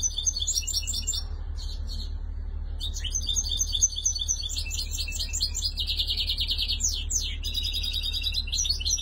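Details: European goldfinch from Tunisia singing: rapid tinkling twitter of high, bright notes and buzzy trills in quick bursts with brief pauses, over a steady low hum.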